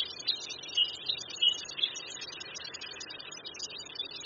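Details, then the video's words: White-headed subspecies of Black Bulbul (Hypsipetes leucocephalus) in Hangzhou, Zhejiang, China, near West Lake, giving a string of short, squeaky, high notes over a dense background of thin chattering birdsong. "Black Bulbul Song"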